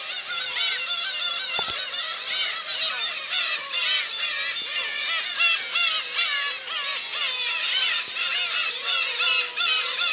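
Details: A dense chorus of Black-tailed Gull parents and chicks at Kabushima, Aomori, June 2024, as chicks eat sardines regurgitated by parents amid the crowd: overlapping nasal, mewing cries, some rising and falling, several a second.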